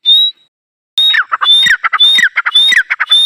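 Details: Partridge (teetar, dakhni teetar) calling: a sharp high whistled note followed by a rapid chattering run of lower harsh notes, the phrase repeated about twice a second after a brief pause.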